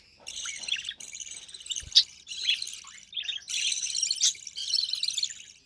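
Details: Budgie chick, recessive pied, hatched early June 2020, at feeding time with its mother: uneven buzzy rasps mixed with short chirpy notes and a quick click, rising and falling in loudness.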